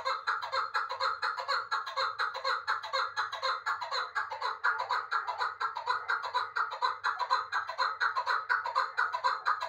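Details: Uzbek chukar partridge kept in Dushanbe, calling steadily: harsh, rhythmic chuckling notes repeated about twice a second without pause, rich and rasping in tone.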